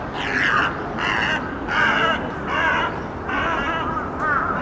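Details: Crows mobbing a little egret as a group at Shukkeien garden in December 2017, after the egret took off. Harsh, hoarse caws come in a series of six, roughly one every 0.8 seconds, with a faint background hum.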